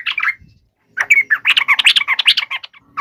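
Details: Aggressive fighting song of a yellow-vented bulbul, used to provoke rival birds into replying. A brief chattered phrase comes first. After a pause, a dense, lively run of warbling, scratchy notes follows.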